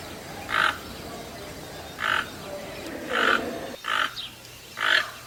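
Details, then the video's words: Toucan producing five separate rough croaks spaced one to one and a half seconds apart, with quiet background in between. "Canto do Tucano - Ouça agora o Som do Tucano Cantando"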